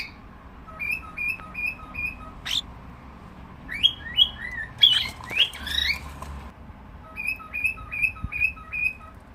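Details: Cockatiel calling in runs of short, evenly spaced whistled chirps, with a louder burst of rising, sliding whistles in the middle, against a low constant background hum.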